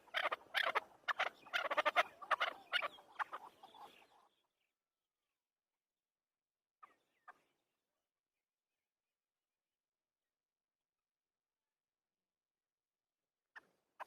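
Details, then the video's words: Afghan chukar partridge: a rapid run of harsh, clucking chuk notes with rich overtones, pulsing several times per second for about four seconds, then near silence broken only by a few faint brief clicks. "Afghani chakor voice | Hunter Afghani chakor sound | chakor ki awaz | chakor bird sound"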